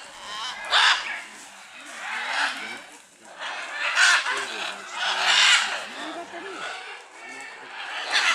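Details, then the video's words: Scarlet macaws at a wildlife reserve in Punta Islita, Guanacaste, Costa Rica, coming down from a Guanacaste tree. Harsh, raspy squawks come in loud bursts a few seconds apart, with quieter calls and low murmuring voices between them. "Scarlet Macaws Wildliife Reserve, Punta Islita, Costa Rica!"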